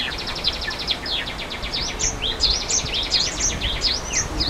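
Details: Java sparrow in the wild giving rapid, high chips and tinkling, slurred notes in quick runs over the steady low rush of a waterfall.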